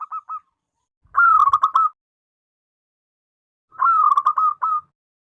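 A zebra dove gives two rapid, stuttering cooing phrases in a mid-pitched, rolling rhythm, each under a second long, with a few short notes before them.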